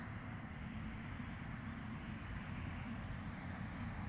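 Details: A continuous low rumble like a distant engine or aircraft dominates, with no animal voice.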